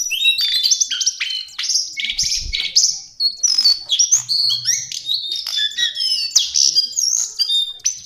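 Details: Lesser shortwing (cingcoang coklat) tutor song: rapid, high, varied warble of whistled and slurred notes with chattering trills, continuous apart from short breaks, and a faint low thud near two seconds.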